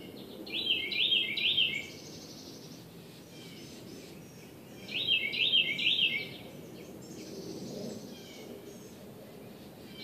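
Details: Morning bird song: two bright, twittering phrases of rapid rising-and-falling notes, each lasting just over a second, separated by about four seconds of steady background hiss and low rumble.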